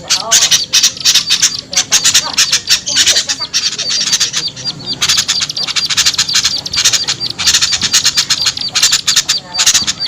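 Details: Lure sound to attract hard-to-lure small birds: a long, nearly continuous stream of shrill chips and squeaks in dense clusters, briefly thinning before resuming at the same fast, uneven pace.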